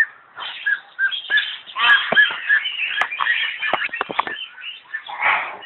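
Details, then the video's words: A myna at the Zoological Garden in Kolkata, India, gives a run of harsh, raspy chattering notes, rapid and irregular, with short squawks and clicks packed closely together. "Myna Bird"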